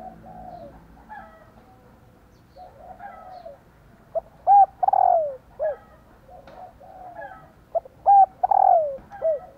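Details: A female spotted dove calls to prompt males to coo, giving soft, low, hollow coos in short clustered phrases, each ending in a slightly falling note, over a faint low hum.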